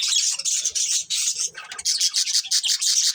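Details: Pet budgerigars, a breeding pair, give bright grating chirps in rhythmic clusters separated by short gaps, loud and close, with soft low rustling underneath.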